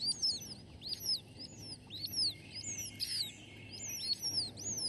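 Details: Red-shouldered hawk nestlings, the youngest of three still hungry after a meal, beg in the nest with thin, high, down-slurred chirps, several overlapping and rapidly repeated, over a faint low rumble.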